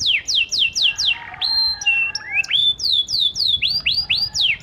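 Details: Panda canary pouring out a lure song to draw responses from silent canaries: bursts of falling whistles, a pause with a held tone and rising slur, then rapid swooping notes again.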